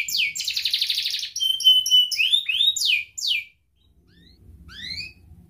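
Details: Lure song of a canary in the ngerek style, meant to get young learners and reluctant canaries singing: a dense buzzy trill, a sustained whistle and swooping rising notes. The song stops abruptly, leaving a faint low rumble and a few upward-sweeping chirps.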